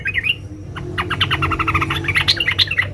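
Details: Sooty-headed bulbul female calling a male, giving a rapid chattering series of harsh chirps and squeaky notes, tightly packed and irregular, with a steady low hum underneath.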